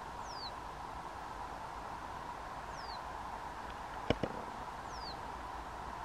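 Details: Reed bunting (Emberiza schoeniclus) at Store Mosse National Park, southern Sweden, in July 2023, giving three thin, high, down-slurred 'tseeu' notes about two seconds apart over a steady hum with a couple of soft knocks.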